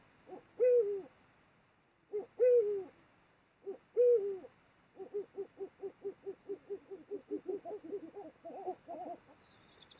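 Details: Eurasian eagle-owls mating, Mosel, Germany, late January 2022: three strong hoots, then a rapid, accelerating run of short stuttering notes, with a brief high squeak at the end.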